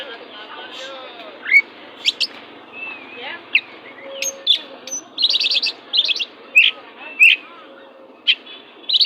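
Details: Oriental magpie-robin described as a fierce 'pastol' bird, used as a tutor song for magpie-robins that sing without vigour. It gives a varied run of sharp high whistles, slurred notes and rapid buzzy trills in uneven bursts, over a faint low background murmur.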